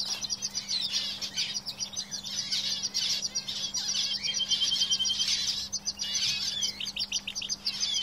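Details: Canaries kept in a cage sing continuously, a busy chorus of quick chirps and rattling trills with a brief clear whistled note partway through, over a constant low electrical hum.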